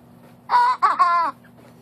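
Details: Young cockerel practising its crow: a short broken attempt of three harsh, cracking segments under a second long, with a steady low hum behind it.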